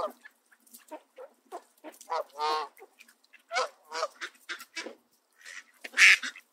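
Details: Two Canada geese at a park in southern Ontario, Niagara area, bullying mallards away from spread bird seed, grabbing their feathers; loud nasal honks in irregular bursts, some harsh and drawn out, mixed with shorter clipped calls.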